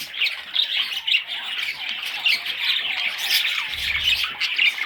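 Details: Young parrot chicks giving harsh, raspy squawks mixed with thin chirps. The calls run in a steady overlapping stream, with a brief low thump near the end.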